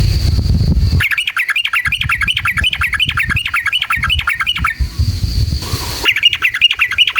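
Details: ['Sooty-headed bulbul song used as a lure to provoke other bulbuls into singing: long rapid chattering runs of bright rising-and-falling whistled notes. Two brief breaks filled with low rumbling noise.']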